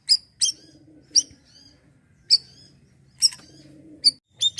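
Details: Asian glossy starling, 'siri-siri' gacor style for untrained birds: scattered, loud, high metallic chips with short falling tails, separated by uneven pauses, over a faint low hum.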